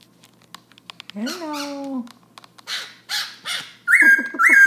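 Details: Black-throated laughingthrush at night, 11 pm, in a non-stop song: a low, drawn-out, nasal, wavering note and scattered soft clicks and rasps, then loud bright whistled phrases at the end.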